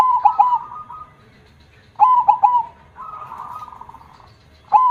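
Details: Perkutut, the zebra dove, singing actively with a big 'kong' voice: bursts of three sharp staccato coos, each trailing into a level purring note, repeated about every two seconds. Another dove coos softly between phrases.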